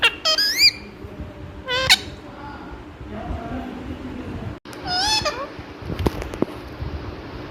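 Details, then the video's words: Pet Indian ringneck parrot talking non-stop to its reflection in a mirror indoors; squeaky, wavering, speech-like phrases in short bursts with pauses, plus some soft clicks. "Mirror Dekhkar Sab Kuch Bolata Hai Yah Mithu Non -Stop Talking Parrot"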